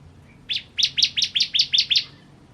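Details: Bar-winged prinia (ciblek kristal) giving a quick series of seven or eight sharp, high, clipped notes, each with a rising-and-falling shape, spaced about a quarter second apart.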